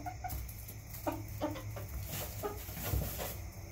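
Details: Several short, clipped clucks from backyard chickens, spaced about a third of a second apart, over a low humming background.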